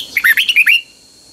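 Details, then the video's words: Single close red-whiskered bulbul phrase from Pa La-u, Thailand, doubled song style: rapid sequence of five or six slurred, rising whistled notes lasting under a second. "เสียงนกกรงหัวจุก นกป่าละอู เพลงเบิ้ล2 เพลงเบิ้ล3"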